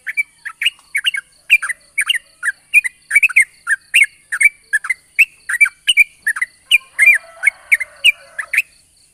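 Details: Morning song of a yellow-vented bulbul, long ropel used as a lure: continuous lively bubbling chirps in short groups, about three bursts a second, with a faint harsh rasp near the end.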